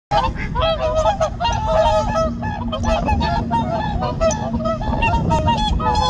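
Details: Whooper swans wintering together on a reservoir, calling loudly in the morning as five or six birds return from a night away, nodding their heads before a fight breaks out; dense overlapping bugle-like honks, many birds calling at once in rapid succession.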